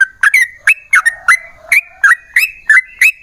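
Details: Yellow-vented bulbul song played as a lure to get other bulbuls to sing: clear, rich whistled notes around mid pitch, each with a sharp upward flick, repeated about three times a second in an uneven, chattering series.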